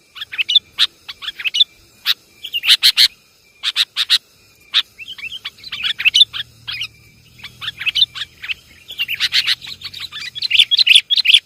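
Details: Sooty-headed bulbul lure recording: scattered sharp chirps and short slurred whistles in uneven bursts, thickening into a busy chattering flurry near the end.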